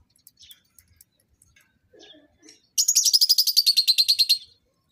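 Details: A lovebird in a pairing setup for mating: a few faint clicks and soft notes, then a loud, evenly pulsed run of shrill chirps lasting nearly two seconds.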